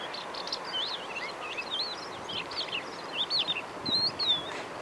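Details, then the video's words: Lark at Tel Shikmona, 24 April 2022, pouring out an unbroken high warble of quick looping, trilled and whistled phrases that twist up and down, with a faint background hum. "Lark at Tel Shikmona 24/04/2022"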